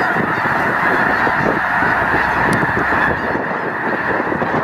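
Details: A huge Snow Goose gathering at Loess Bluffs National Wildlife Refuge, February 2020, calling en masse. Rapid, irregular honks pile on one another in a constant, even roar.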